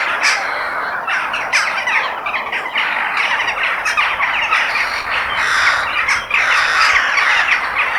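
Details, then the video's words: Crows calling outdoors in nature: harsh, raspy squawks overlap in a dense, near-continuous chorus, with louder bursts about every second and no other clear sounds. "The Sound of Crow In Nature"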